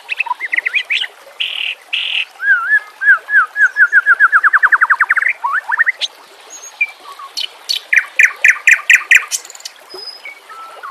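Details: White-rumped shama (murai batu) song meant for training birds: mixed whistles and buzzy notes, a long accelerating trill of rising strokes, then sharp clicking chips and scattered whistles, with background nature sounds.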